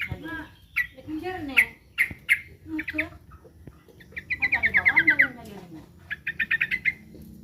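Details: Sooty-headed bulbul (trucukan) reacting to a threat: scattered loud chips, then a fast rattling string of about a dozen notes and a shorter closing burst, with some low voices in the background.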